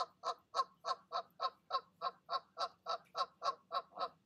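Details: Goose urging goslings to take the leap from their nest, evening; crisp, evenly timed honks, about three and a half per second, in a clean uninterrupted run.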